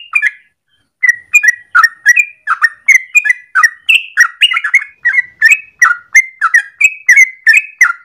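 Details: Yellow-vented bulbul singing vigorously in a long, rapid morning song used as a lure or master for training birds. After a brief opening pause, bright chirpy notes with slurred, bubbly inflections follow in a steady stream, about three each second. No other sounds.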